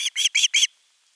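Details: Osprey chick begging for fish on a nest camera, 10 August 2021: four loud, slightly drawn-out shrill notes, then quiet.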